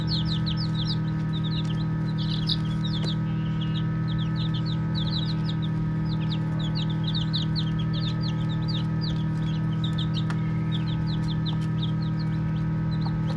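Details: Baby chicks chirping and playing: many short, high, thin peeps overlap in quick irregular bursts throughout, over a steady loud low hum.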